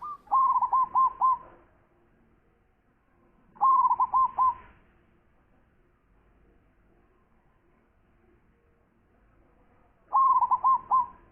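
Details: Three separate phrases of rapid, hooked cooing from a zebra dove, each of four or five tight notes lasting about a second, spaced several seconds apart in a quiet setting.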